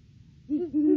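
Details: Great horned owls, a pair duetting at the nest tree on December 3, 2022, off-season before February egg laying: quiet start, then a run of low hoots, slightly rising and overlapping as the two birds call.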